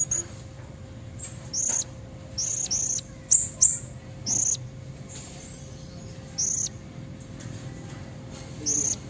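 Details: Female Blue-crowned hanging parrot giving lure calls for red-necked males, recorded wild: scattered very high, thin, clipped squeaks, several in quick pairs, with long quiet gaps.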